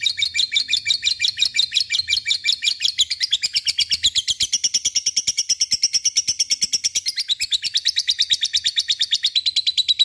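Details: Lovebird in long chattering song, meant to prompt quiet, lazy lovebirds to sing: rapid even series of high, scratchy notes, steadily repeated for the whole stretch with slight shifts in pitch, and a faint low hum at the start.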